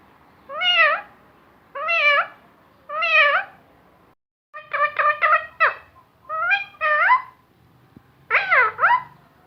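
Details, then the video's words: Talking parrot repeating word-like utterances said to include Allah Hoo: three similar drawn-out syllables about a second apart, then faster bursts of three to four clipped syllables and a final falling phrase, over a quiet background. "Talking Parrot saying Allah Hoo and many more words"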